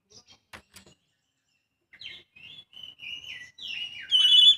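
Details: Young Oriental magpie-robin: after a few soft clicks, it breaks into varied whistled notes that slide up and down and grow louder, ending in a strong, rich warble.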